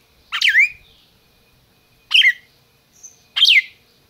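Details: Red-crested cardinal bred in captivity in Brazil, giving three loud descending chips, the first longer and drawn out, with a short faint whistle between the last two.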